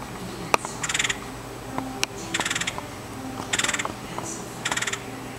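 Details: Red-headed woodpecker in Virginia, four short bursts of rapid rattling, churring notes, each about a quarter second long, spaced roughly one to two seconds apart, over a steady low hum with scattered clicks.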